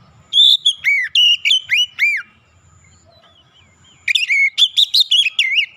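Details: Lure song of an Oriental magpie-robin meant to set other birds singing: a quick series of arched, clear whistles, a pause of near silence, then a fast string of varied whistled notes.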